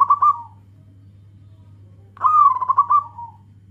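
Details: Local zebra dove with a loud voice calling to companions: two stuttering, trilled coos, the second longer and slowly falling, separated by a pause, over a steady low hum.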